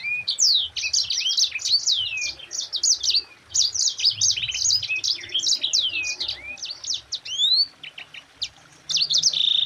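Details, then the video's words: Yellow-fronted canary, called Mozambique, giving long rolling 'ngerol' song used to train and provoke other birds. Nearly ten seconds of fast high whistles, slurred notes and short trills in rapid bursts, with a brief gap near the end. "Suara Burung Sanger Gacor NGEROL RAPAT"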